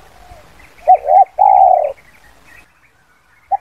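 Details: Short phrase of a spotted dove used as a lure for wild birds: two quick coos then a long level coo, one brief coo at the end, faint chirps of other birds throughout.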